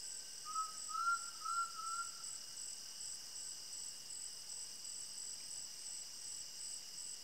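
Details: Undulated tinamou from the Brazilian sertão singing a short run of four soft, steady whistled notes that rise slightly, half-masked by a dense, even chorus of high insects.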